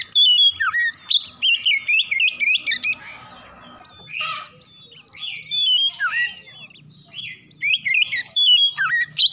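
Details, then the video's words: Oriental magpie-robin song played in the morning to stimulate singing: rapid, varied high whistles, trills and chattering phrases, with a brief harsh noisy burst midway. "PANCINGAN KACER PAGI HARI CEPAT NGROPEL BUKA PARUH"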